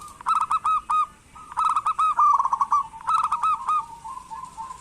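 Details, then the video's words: Zebra dove of a local strain, singing eagerly as a lure for reluctant doves: several spaced phrases of fast, throaty, rolling notes, each phrase a rattling trill of soft coos, with the last one fading out. "Perkutut lokal gacor pancingan perkutut malas agar bunyi"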